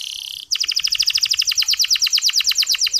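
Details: Canary singing in a soft, clear style used as a lure to get reluctant male canaries to sing; after a brief steady high tone, a fast run of sharp downward-sweeping chirps repeats about three per second.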